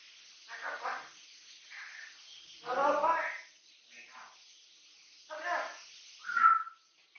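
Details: Three-year-old captive-bred Amazon parrot kept indoors as a companion, giving a few scratchy, speech-like babbled phrases, one longer rasping burst in the middle, then a sharp bright whistled note at the end.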